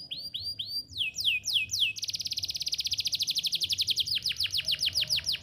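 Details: Canary chirping to prompt juvenile canaries to learn song: several slurred rising whistles give way to a quick rolling trill, then deeper descending swoops at the close.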